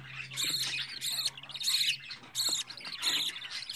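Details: Budgerigar chick aged two weeks, raised in a household: five or six buzzy, wheezing chirp bursts in under four seconds, separated by short gaps, over a faint low hum.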